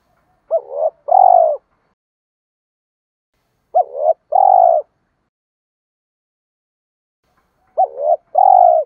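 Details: Spotted dove lure call from a decoy bird, used to provoke males to fight. Three deep, hollow coo phrases, each a short rising note with a quick break and then a longer, steady, slightly falling coo, about three seconds apart, in silence.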